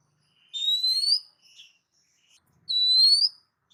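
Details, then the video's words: Oriental magpie-robin (kacer) masteran tutor recording, intended to make birds reply: two bright upslurred whistles with ringing overtones about two seconds apart, with a brief soft warble between them. "dengar suara masteran Kacer satu ini"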